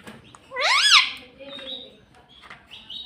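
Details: Pet green ringneck parrot indoors giving one loud rising-falling harmonic squawk near the start, followed by softer faint chirps and short notes.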